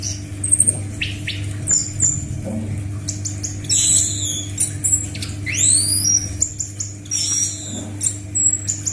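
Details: Orange-headed thrush (anis macan) song used to train captive birds: scattered high whistles and strong curved sweeping phrases, each burst followed by a pause, with a steady background hum.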